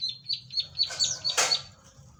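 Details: Bar-winged prinia singing energetically: a rapid series of high, clipped chirps repeated about four times a second, ending in a louder, harsher burst of notes.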